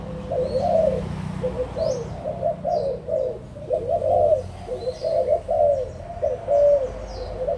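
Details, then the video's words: On 16 March 2022, adult spotted doves from Malaysia and Thailand coo in soft, low, warbling phrases that come in bursts with short gaps, over faint high chirping. "cu gáy trưởng thành malaysia và thailand"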